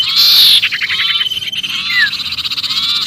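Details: Sirpu giving an agitated distress call as if trapped, used to lure other birds: a loud high buzzy chatter of rapid pulses, with a short falling whistled note near the end.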